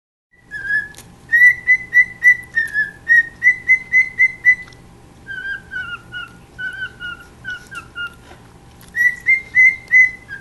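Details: Pet cockatiel singing to the household chihuahua it adores, in quick runs of clear, bright whistled notes, repeated several times a second.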